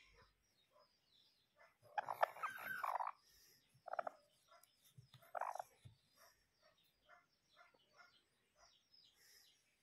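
A bantam chicken gives a few harsh, nasal squawks between soft, scattered clucks.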